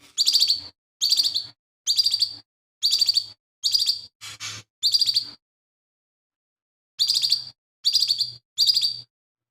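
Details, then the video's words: Lesser green leafbird in full song, its repertoire said to include imitations of sparrows, shrikes and other birds; a series of rapid buzzy chirp bursts about half a second long, repeated roughly once a second, with a pause of several seconds before the bursts resume. "CUCAK IJO MINI GACOR"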